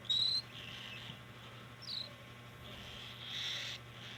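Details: Cockatiel begging during hand feeding, recorded in 2025: a short clear whistle-like note opens, then raspy hissing begging bursts of varying length with brief gaps, under a steady low electrical hum.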